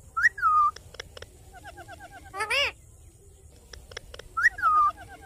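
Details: Green ringneck parrot repeating a short whistle twice, four seconds apart, each one rising quickly then falling and levelling off. Between them comes a harsher, arched harmonic note, with soft clicks and a low background hum throughout.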